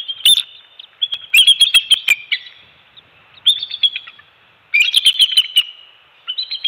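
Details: At a Captiva/Sanibel Island, Florida bald eagle nest, two-week-old eaglets are fed fish during an early-morning shift change on Dec 27, 2020; loud, high, giggling chatter in several rapid bursts of piping notes, each lasting about a second.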